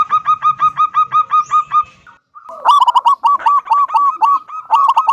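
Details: Local wild-type zebra dove singing in the loud 'kung' voice style, used to coax other doves into song: a run of about ten even, hooked mid-pitched notes, a brief pause, then loud rich rolling coos mixed with further quick notes.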